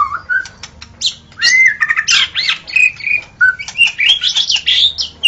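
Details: Wild white-rumped shama in forest, singing lively: fast varied phrases mixing rich whistles, harsh squeaky notes and rapid chattering, almost continuous.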